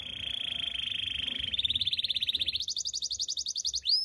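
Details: Belgian canary singing in the morning: a steady, rapid buzzy trill holds on one pitch, then speeds into higher rolling tours that climb in steps, closing with a quick upward-sweeping note.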